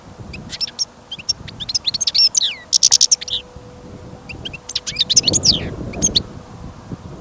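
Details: European goldfinch in a cage, taken outdoors in sudden snow and wind, singing steadily: rapid high twittering, liquid slurred notes and a brief buzzy rattle, two phrases separated by a gap, soft wind noise beneath.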